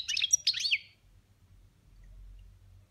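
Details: Domestic European goldfinch singing in the boniments manner: one rapid, tinkling phrase of overlapping chirps and slurred whistles lasting under a second, followed by quiet.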